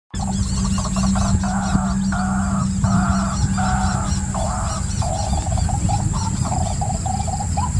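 White-breasted Waterhen giving loud, harsh croaking notes in quick repeated bursts, settling into lower, steadier notes, over a heavy low rumble and a faint steady hum.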